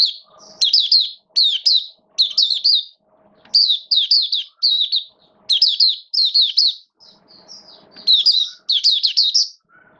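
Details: Oriental white-eye, a caged hobby bird, opening its song in wet weather in October 2022: steady sequences of high, sweet, falling chirps in short clusters, with soft low hum between phrases.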